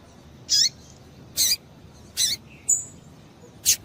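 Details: Female double-collared seedeater calling to excite males: five short, harsh, high chirps spaced roughly a second apart, with one thin, level whistled note near the end over a quiet background hiss.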